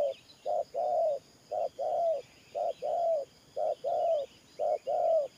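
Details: Spotted dove used as a ground-trapping decoy, cooing gù in the thổ pha nước style: five low hollow doublets, the second note longer and gently falling, evenly spaced, soft chirps in the background.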